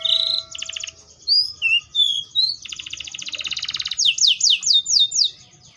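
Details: Varied Atlantic canary song: a high whistle, a fast trill, scattered slurred whistles, a dense buzzy rattle lasting about a second, then a string of quick downslurred notes.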